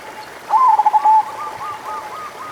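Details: A local zebra dove coos as a lure for slow-singing doves: one brief phrase of soft, fluttering coo notes lasting under a second, followed by fainter distant cooing over low hiss.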